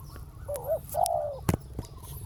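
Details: Decoy spotted dove cooing at ground level to lure down a wild bird: a short wavering note, then a sustained mellow coo, ending with a sharp click-like knock.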